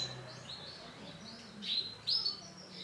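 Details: Male canary in orange and black colouring gives high thin whistled notes, a couple of sharp bright bursts late in the phrase over a quiet, slightly hissy background.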